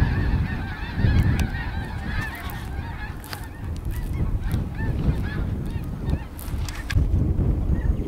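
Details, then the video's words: Snow geese, a flock of over 100 mostly mature adults with a few immatures and dark morphs, flying over Buck Creek State Park on April 6, 2011; many overlapping nasal honks throughout, with strong low wind rumble. "high flying snow geese"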